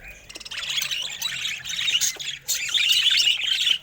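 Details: Pet budgerigars of bright colors warbling and chirping, scratchy notes building into louder squeaky chatter in the second half.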